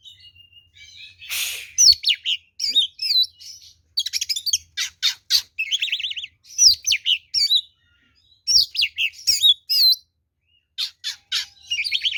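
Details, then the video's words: Oriental magpie-robin giving a long fighting song for luring rivals: dense runs of looping whistles, buzzy rattles and sharp chirps, with one loud harsh noise burst near the start. "SUARA BURUNG kacer gacor NGEPLONG TARUNG ini paling AMPUH buat PANCINGAN kacer NYAUT EMOSI"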